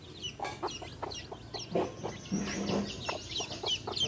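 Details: Hen with baby chicks: low soft clucks repeated through the clip, mixed with faint high peeping from chicks.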